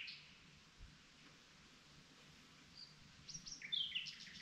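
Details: Common nightingale singing at night: faint high notes at first, then a quick burst of sharp, high chirps and whistles over the last second, against a steady soft hiss.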